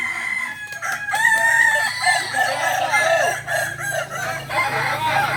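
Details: Multiple kokok balenggek roosters crowing together during a joint practice in Solok; long, stepped crows overlap without pause above a steady low hum.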